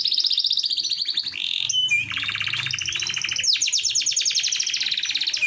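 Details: Gacor canary song used to attract a hen, with rapid high trills broken by a brief low note, then shifting rolled trills at several pitches.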